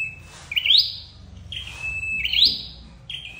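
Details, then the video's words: Red-headed flowerpecker call used as a trapping lure: high, thin notes that sweep sharply upward, then trail off as a level whistled tone, heard twice about two seconds apart over faint low background hum. "Tiếng chim sâu đầu đỏ đi bẫy"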